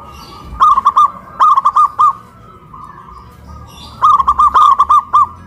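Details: Zebra dove hoisted high on a pole in Kuningan, West Java, singing loudly; three bursts of rapid bubbling coos, each a run of four to six short rounded notes separated by brief pauses.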